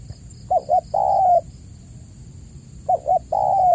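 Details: Spotted dove lure call, used as a master recording to prompt caged doves that have stopped cooing. Two short coos then a long drawn coo, repeated twice about 2.5 seconds apart, over a faint steady high hum.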